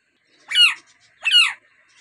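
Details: Talking rose-ringed parakeet of the native type uttering two separate hoarse, nasal calls, each rising and then falling, spaced a little under a second apart in a quiet room.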